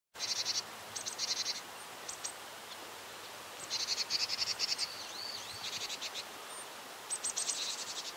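Japanese tit giving high, rapid buzzy call series in short bursts, with a thin rising whistle in between, over a steady background hiss.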